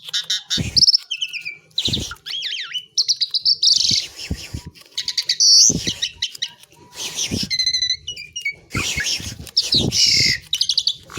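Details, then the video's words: Asian pied myna pouring out a long, busy song of shrill whistles, harsh rasping bursts, squeaky chirps and crackling rattles, delivered almost without pause against a quiet background hum. "THE BEAUTIFUL SOUND OF ASIAN PIED MYNA, JALAK SUREN GACOR"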